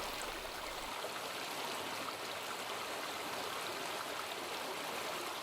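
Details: Continuous hiss of a flowing stream with no other sounds.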